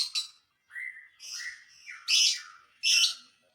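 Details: Lovebird song used to provoke other lovebirds: short rising squeaky whistles alternating with loud, harsh, buzzy screeches.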